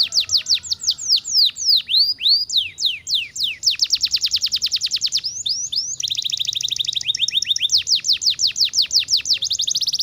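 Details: Canary singing: a lively run of sharp downward-sweeping notes repeated several times a second, shifting into long steady rattling trills of high, fast, even notes.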